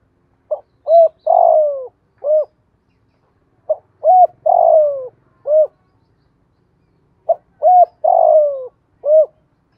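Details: Spotted dove cooing in the earthy-field voice style, urging and calling coos meant to stir untamed doves into cooing: three low phrases about three and a half seconds apart, each of short hoots then a longer falling coo, clean quiet background.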